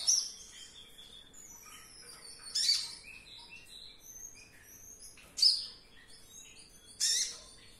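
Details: Caged olive-backed sunbird (konin) calling to provoke response from others: sparse, loud high-pitched bursts every two to three seconds, with faint thin whistled notes between them.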